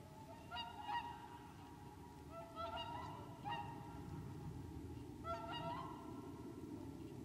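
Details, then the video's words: Whooper swans in winter at Lac du Der, Champagne, January 2014: paired and tripled bugling honks in several groups, with a steady low-frequency rumble beneath. "Cygne chanteur ( Cygnus cygnus ) au Lac du Der en Champagne"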